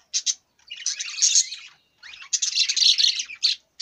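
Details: Budgerigar giving two short sharp chirps, then long bursts of rapid, buzzy, scratchy warbling separated by a brief pause, ending with a few clipped chirps.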